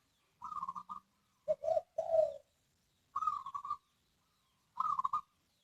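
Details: Zebra dove singing: short bursts of soft, trilling coos, some phrases higher and others lower and throatier, each lasting under a second, with pauses between them.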